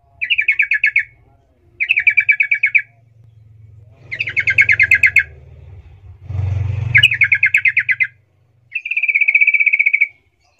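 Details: Lure recording of a sooty-headed bulbul singing 'rol' style to provoke rival bulbuls into replying; five buzzy rattled phrases about a second long, spaced by pauses, with a passing vehicle rumbling underneath.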